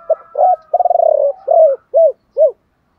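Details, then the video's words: Spotted doves, male and female, cooing in the chieu ba hau style to stimulate other doves: a rapid sequence of short low notes, a fluttering stuttered coo, a longer mellow note, then two arched single coos. "tiếng chim cu gáy chiêu ba hậu"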